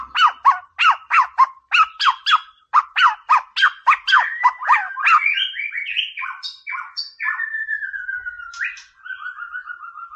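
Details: White-rumped shama masteran meant to anger a rival: a long run of sharp, rapidly repeated chipping notes, then smoother slurred whistles and a drawn-out falling whistle.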